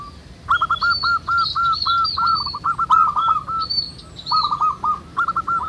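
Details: Wild local zebra doves in a busy chorus, each giving steady strings of crisp, hooked coo notes. A higher-pitched bird adds short whistled phrases above them.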